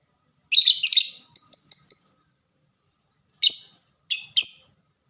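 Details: Lovebird with the fighter-type ngetik song: a rough, buzzy chirp, then a quick stutter of four thin high ticks, a pause, then three more scratchy chirps.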